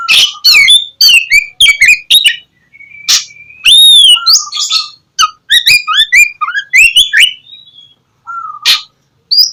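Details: Oriental magpie-robin singing to draw lazy birds into morning song; long varied sequence of sharp clicks, whistled upslurs, mimic-like phrases and squawks, with a couple of pauses.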